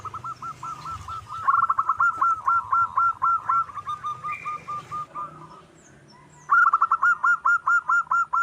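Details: Wild local zebra dove singing heavily, used as a lure: long strings of quick, clipped coo notes at mid pitch, seemingly overlapping voices, then a short pause and another brisk rhythmic burst of ringing notes.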